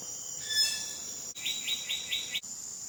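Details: Wilson's bird-of-paradise in West Papua, late July to mid-August, gives a quick run of five short, bright, even notes, about five a second, over a steady high insect hum.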